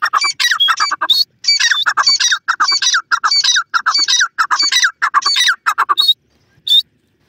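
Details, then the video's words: Black francolin (kala teetar) calling during a morning walk in open country: loud, harsh, grating squawks in rhythmic bursts, about one and a half per second, repeated steadily, then two isolated sharp notes. "teetar morning time walk,TEETAR AWAZ"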